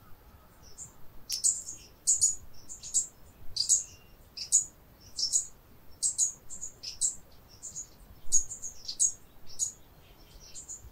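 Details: Brown Inca hummingbird in northern Peru, a cloud forest species: a run of sharp, very high chipping notes in short clusters, repeated roughly every half second to second, over a quiet background.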